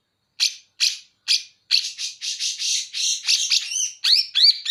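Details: Song of a greater green leafbird from Banyuwangi, using bearded bulbul material: three spaced harsh chips, then a fast continuous scratchy chatter broken by whistled upward and downward slurs.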